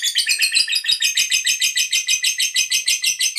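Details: Lovebird ngekek trill meant to get other lovebirds singing: loud, piercing, rapidly pulsed chattering, each burst evenly spaced, about three per second, with no pause.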